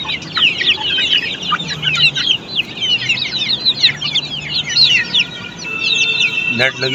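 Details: Flock of Australorp chicks at a poultry farm, filling the air with overlapping, shrill, rapid chirps in a steady wash of sound. A low hum and a brief louder noise near the end are also heard.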